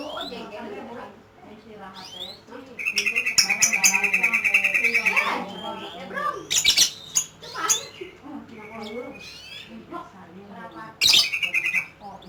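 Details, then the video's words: Lovebird ngekek: a long, continuous, buzzy rattling chatter of about three seconds, rapidly pulsed, followed by mixed squeaky chirps and another short rattling burst near the end. Faint speech runs underneath. "LOVE BIRD || ngekek 8 kilo meter"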